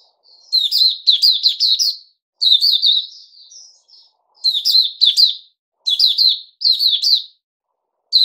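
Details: Bulbul called Puteh Raja, recorded 08052021 after a special fruit juice feed: rapid clusters of bright, slurred warbled notes, a soft trailing twitter, then more phrases about a second apart.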